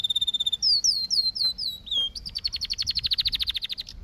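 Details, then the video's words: Canary song: a fast rattle and a steady whistle, then a series of swooping downslurred notes, followed by a long rapid trill of bright repeated notes. "Canary Singing"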